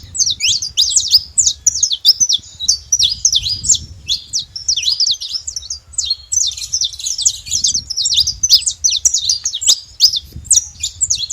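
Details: Wild saffron finch, free in nature, delivering a long continuous run of high, quick chirping notes and short slurred twitters. The song barely pauses, and a soft low background rumble sits underneath.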